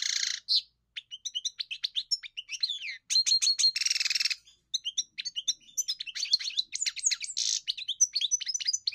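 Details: European goldfinch sings a long lively medley of chirps, trills and liquid twitters, with two nasal buzzy passages, in a quiet setting without other sounds.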